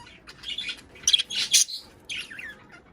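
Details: Budgerigar chatter used to encourage pairs to mate and lay eggs: dense high scratchy warbles and sharp chirps crowd together in a two-second burst, then one more brief twittering phrase.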